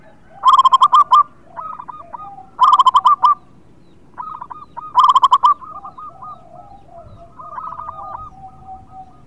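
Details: Local zebra dove in vigorous song, meant to coax reluctant birds into singing: three loud bursts of quick, bubbling coo notes roughly every two seconds, while several more distant doves answer with softer cooing phrases.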